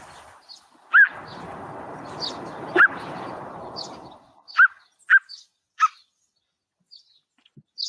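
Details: A Hooded Plover in Australia gives its alarm call while defending its nest or leading a threat away from it: five short, sharp, upslurred piping notes spaced one to two seconds apart, over a steady rush of wind or surf early on.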